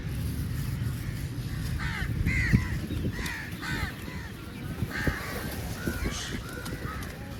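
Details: Crows feeding together give harsh, arched caws in a loose series, several calls a second at times with short pauses, over a steady low rumble of background noise.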